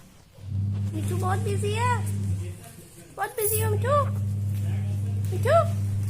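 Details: Pet Indian Ringneck parrot talking indoors: a run of speech-like, wavering harmonic syllables in two bursts, resembling repeated short phrases such as "me too", over a steady low electrical hum.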